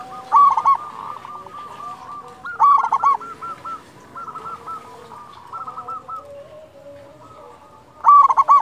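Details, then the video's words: Local zebra dove singing with a large voice to stimulate other doves into song: three loud rolling coo bursts at the start, middle and end, linked by long runs of softer repeated coos from background doves. "Perkutut lokal gacor suara besar cocok untuk pancingan burung perkutut agar bunyi"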